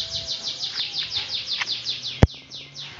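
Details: White-rumped shama in training, giving a rapid run of high, downslurred chirping notes, about six a second, briefly broken by a single sharp loud click, over a faint steady low hum.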